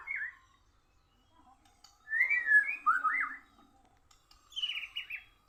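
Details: White-rumped shama losing a singing contest to a bird from Borneo. Sparse song: a short whistle, a slurred warbling phrase after a pause, then a higher, buzzier descending phrase.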